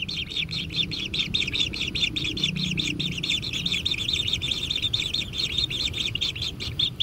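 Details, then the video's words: Nestling kingfishers begging as food arrives at their natural nest: a rapid series of rasping, high-pitched chirps pulsing on steadily with no pause, over low background hum. "Anak Tengkek Diberi Makanan Semakin ExTrim - Natural Kingfisher Bird Nest"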